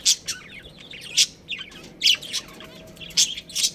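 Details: Pet budgerigar breeding pair giving loud sharp chirps about once a second, with softer rasping warbles between them.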